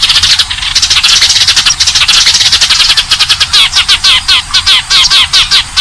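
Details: Eurasian tree sparrows in a fighting call used as a bird lure: agitated crowded chirping that turns into a fast run of distinct rising and falling chip notes, several each second.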